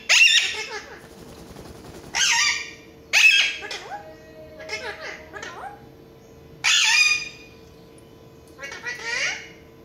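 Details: Alexandrine parakeet vocalizing in front of a mirror, with loud rasping shrieks alternating with quieter wavering, speech-like syllables in irregular bursts. A faint tonal hum runs throughout.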